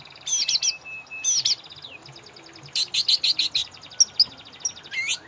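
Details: White-rumped shama song played as a master recording to coax caged birds into singing: bright whistled phrases, fast chattering bursts and a few drawn-out notes, with a faint low rumble.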